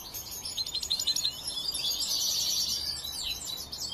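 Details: Juvenile goldfinch in training produces a brief, hurried twitter of high chirps and a buzzy trill, partly blurred by background hiss.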